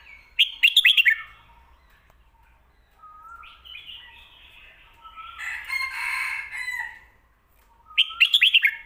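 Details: Red-whiskered bulbul, recorded for teaching home birds the 'stir-fried noodle' and 'bottle-shaking' song styles: crisp, rapid whistled phrases open and close the recording, with a long harsh, rasping chatter in between.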